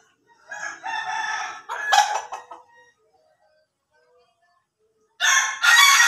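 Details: Crowing of an Ayam Ketawa cock: a long raspy, choppy laughing phrase in several segments, a silent pause, then two loud harsh bursts closing the recording.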